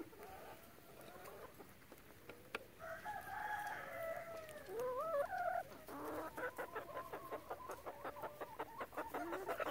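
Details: In a relaxed chicken flock, a long drawn-out call rises and wavers, then breaks into a rapid run of evenly repeated clucks, with quieter clucking early on.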